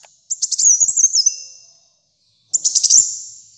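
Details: Kolibri muncang sunbird in vigorous song. Two phrases, each opening with quick sharp stuttered notes and continuing as a high, wavering, downward-stepping trill that fades. A silent gap of about a second separates them.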